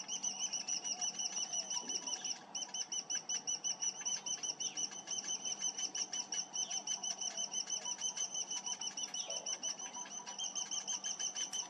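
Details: Parent cinnamon bittern feeding its young; the chick gives insistent high-pitched begging squeaks in a fast, even series of roughly three a second, with a brief break early on and a faint low hum behind.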